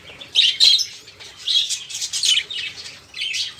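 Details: Busy budgerigar chatter meant to coax silent caged songbirds into singing; scratchy warbled bursts and chirps from several birds, rising and falling in short waves.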